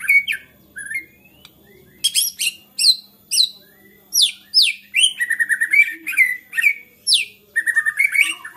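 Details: Agitated white-rumped shama whose song is said to set other shamas singing: a fast, varied stream of sharp whistles, steep downslurs and rattling trills, growing denser toward the end.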